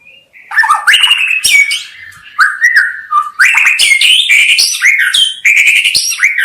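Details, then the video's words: White-rumped shama pouring out loud continuous song, rising whistled notes over dense buzzy trills and high scratchy overtones, barely pausing. "SUARA KHAS BURUNG MURAI BATU_KICAU ISTIMEWA"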